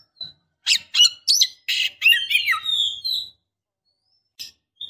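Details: A female Oriental magpie-robin calls for the male, meant to make him agitated, vocal or ready to mate; a quick series of scratchy, squawking notes blends into a warbled descending whistle, then a soft high peep.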